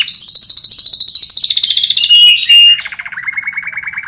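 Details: Canary master song played daily to train other birds to sing: fast buzzy trills repeated several times a second, sliding down through a brief clear whistle into a lower rolling trill.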